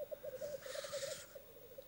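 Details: Black grouse cock bubbling at a courtship lek at a breeding site in woods in Dalarna, Sweden: steady, pulsing, dove-like rookooing in a mid-low pitch, broken midway by a brief loud hissing sneeze.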